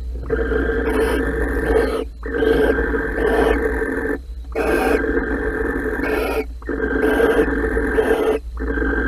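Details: Barn owl pair mating in a nest box at Holten, 16 March 2020: long, harsh, rasping hiss-screeches, each about one and a half seconds, repeated with brief pauses over a steady low hum.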